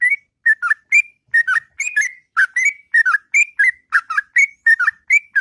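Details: Sooty-headed bulbul's long, melodious morning song in ngropel style: crisp whistled notes in quick pairs and triplets, swooping up and down, running continuously.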